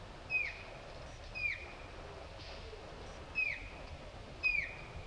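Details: Grey-headed canary-flycatcher in Jayanti National Park, Alipurduar district, West Bengal, India, in January 2018: four short, high, thin whistled notes, each sliding downward, spaced about a second apart with one longer pause, over a soft steady hiss.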